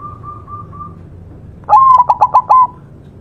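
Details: After four soft, level whistled dashes, a white zebra dove gives a loud cooing phrase: a rising attack, a long steady note, then four quick clipped notes and a held final coo.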